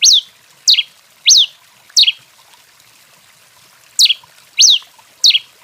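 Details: A red-crested finch in heated, intense song gives sharp, high slurred whistles, each swooping down then up, in a run of four, a pause, then three more, about one per half-second, over faint trickling water.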